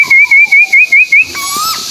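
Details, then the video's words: White-billed tuwu bird from Malaysia, used as a lure call: six quick wavy whistled notes at an even, high pitch, evenly spaced, followed by a lower, smoother whistle from another bird. "Pancingan burung tuwu paruh putih malaysia"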